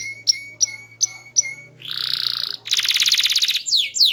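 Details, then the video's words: Canary, small-bodied and loud, singing a varied melodious song: four sharp whistled chips about a third of a second apart, then two dense buzzy rolls and closing downslurred sweeps. "Burung Kenari Gacor, Body Kecil Suara Keras Merdu Bervariasi"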